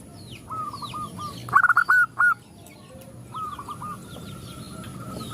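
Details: Zebra doves respond to a calling female: a faint run of cooing notes, then four loud, clipped ringing notes in quick succession, followed by quieter distant coos; small birds chirp thinly throughout.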